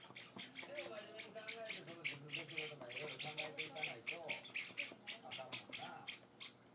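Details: Java sparrow chicks at feeding time, hand-raised and four days in a home, make a run of high harsh chirps, quickening midway, while a person talks softly beneath them.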